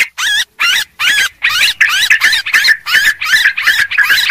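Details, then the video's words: Yellow-vented bulbul noisy luring calls: quick run of separate bubbly notes, about two or three per second, growing denser and more run-together toward the end. "suara pikat burung trucuk ribut"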